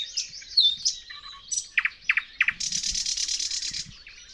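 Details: Thrush nightingale singing, captured with a Dodotronic parabolic microphone: varied whistles and chirps, three sharp descending notes, then a long, loud, dry rattling trill.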